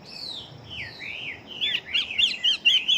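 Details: Chinese hwamei, a fighting bird of large build that sings very readily: slurred whistled phrases sliding up and down, quiet at first, then louder, sharper repeated notes in the second half.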